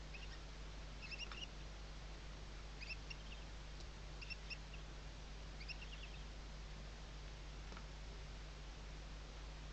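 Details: Western barn owl chicks under their mother's wings at a nest webcam in Riet Vell Nature Reserve, Ebro Delta, Tarragona, Spain, 2023 season; faint short twittering bursts about every one to two seconds over a constant low electrical hum.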